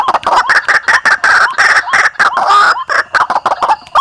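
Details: White-breasted waterhen calling on an Indonesian hunting lure: continuous hoarse, clucking bursts with little pause, a few curved whistle-like notes woven through.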